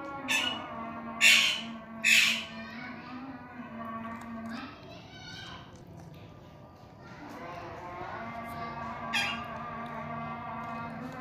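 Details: Indian ringneck parakeet with three sharp, grating squawks in the opening seconds, then softer chattering and a lone squawk later; a steady electrical hum and some murmuring voices run underneath.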